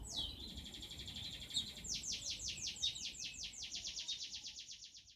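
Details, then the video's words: Mountain tledekan used as a lure so kept birds start singing openly (ngeplong): a long high sustained whistle, then a fast run of about twenty sharp descending high notes, roughly four a second, over a steady low rumbling background hiss. "Suara pancingan tledekan gunung ngeplong"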